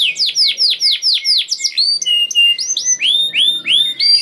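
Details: Canary singing to encourage silent canaries: rhythmic falling whistles about four per second, then high thin notes and rising swooping whistles, with light background rustle.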